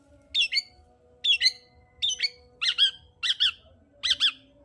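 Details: Long-tailed shrike song used to provoke a quiet shrike into singing: loud harsh doubled notes, each a quick two-part rasp, repeated about every second, over a faint steady hum.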